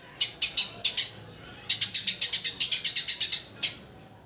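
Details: A few spaced, scratchy chirps from a Eurasian tree sparrow lead into a rapid run of about a dozen harsh notes, ending with one final isolated chirp.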